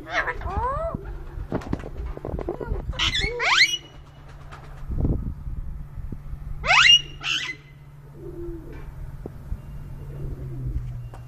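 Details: A ringneck parrot at a dairy farm in Lahore, Pakistan, mixes voice-like syllables with three pairs of shrill, rising screeches spread across the recording, plus taps and a constant low hum.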